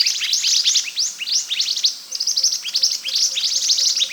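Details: Scarlet minivet singing nonstop as training material for other birds: a dense stream of quick, high, downward-swept chirps in rapid clusters, briefly pausing near the two-second mark before resuming.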